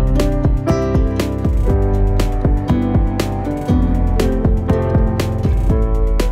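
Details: Plucked and strummed guitar music plays throughout, with no animal sounds.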